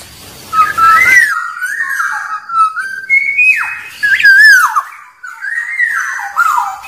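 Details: Wild Black-naped oriole singing, used to call in and provoke rivals: loud, fluid whistled phrases that slide up and down, each a second or so long with short pauses between, over a quiet background.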